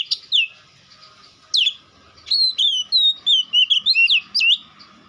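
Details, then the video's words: Whistled, sliding notes from a White-rumped shama, a few isolated at first, then a quicker run of descending and looping phrases over a faint steady hum. "Dengar kicauan Kacer satu ini dijamin langsung nyaut Kacer manapun"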